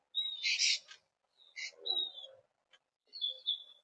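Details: Very young red-bellied woodpeckers in Florida begging with high, buzzy, rasping bursts mixed with thin whistled notes, in three uneven spurts over four seconds.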